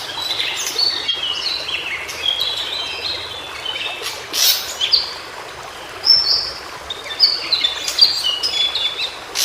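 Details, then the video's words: White-browed shortwing, known locally as cingcoang biru, singing in its natural habitat: scattered high, thin whistled notes and short bright warbling phrases, loosely spaced, over a steady hiss of background noise with occasional louder bursts. "Suara Burung Cingcoang Biru Di Habitat Aslinya"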